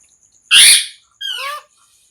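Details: A parrot gives one very loud, broad, hissing screech, then a shorter nasal call whose tones slide downward.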